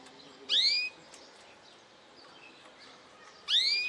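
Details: Goldfinch hybrid, a mixed-bred goldfinch, singing in segments: two loud, brief, sweeping notes about three seconds apart, each bright and slurred upward, separated by quiet with faint background hiss.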